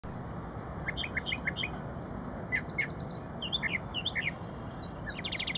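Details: Brown thrasher at Shred-It Pond, Metro Center, delivering a rich, varied string of chirps, whistles and slurred notes, many phrases in quick pairs, over a steady insect drone and low rumble.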